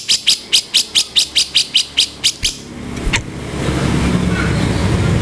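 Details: Cucak jenggot, or grey-cheeked bulbul, used as a training master for songbirds, with a harsh kasaran style: eleven rapid, raspy notes in quick succession, then a sharp click and a swelling rush of noise.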